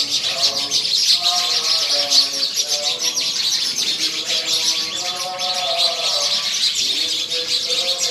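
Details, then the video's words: A dense chorus of sparrows chirps continuously with many overlapping high notes while a reciter chants scripture steadily underneath. "ਚਿੜੀਆਂ ਦੀ ਚਹਿਕ ਦੀਆਂ ਦੀ ਆਵਾਜ਼ । Sweet sound of sparrows"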